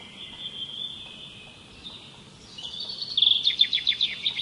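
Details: Soft, steady high whistling gives way to a loud, rapid trill of high pulsed notes with downward flicks. Birds singing outdoors with light background hiss.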